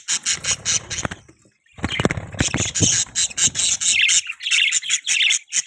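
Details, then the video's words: Chirping from a pet budgerigar: quick scratchy high chirps in uneven bursts with a short pause, some low clicking and tapping underneath, then warbled chatter toward the end. "Budgie Chirping sound"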